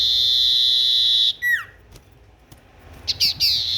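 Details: Tailorbird in full, active song: a sustained high whistle breaks into a falling slurred note, a quiet gap follows, and then short clipped notes start a new phrase.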